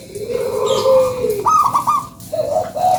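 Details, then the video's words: Zebra dove of a local strain giving its lure song. A long lower coo swells and fades, then a bright, rapidly rippling higher phrase follows, and two short mid-pitched coo notes close the sequence. "SUARA PANCINGAN PERKUTUT LOKAL GACORRR"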